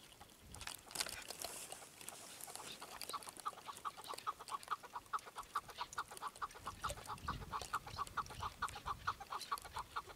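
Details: Chukar partridge calling in a fast, steady run of short mid-pitched clucks, about two per second and growing regular, after an opening burst of rustling noise, with a low rumble in places.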